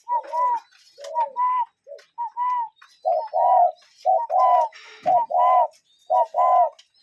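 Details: Cuckoo calling in nature: two-part notes, a short higher note sliding into a longer, lower, hollow one, repeated about once per second in a steady series with little background.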